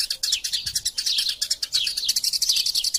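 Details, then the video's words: Fighting Eurasian tree sparrow chatter, kept as a tutor recording for songbirds: rapid, overlapping high chirps with some downslurred notes, almost continuous for three seconds. "Burung Gereja Tarung Gacor Passer Montanus passeridae Eurasian Tree Sparrow erasia suara masteran"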